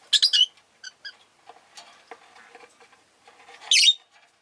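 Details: Rosy-faced lovebirds kept as pets, a group chirping a lot that day: a rapid rasping burst opens, followed by small clipped peeps and soft low murmuring, then one loud grating squawk near the end.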